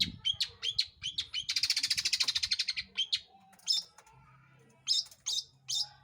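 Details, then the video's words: A long-tailed shrike sings a lure song meant to draw other birds into singing. Quick high chips give way to a dense buzzy rattle, followed by scattered sharp, high notes against a faint low hum. "PANCINGAN CENDET GACOR Di Jamin Pasti BUNYI"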